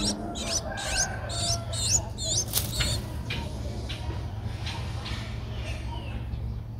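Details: An 11-day-old Streak-eared Bulbul nestling, recorded 13 April 2023 in Ubon Ratchathani, Thailand, gives a quick series of sharp upward-sweeping squeaks for about three seconds. Then it fades to faint calls over a steady low hum.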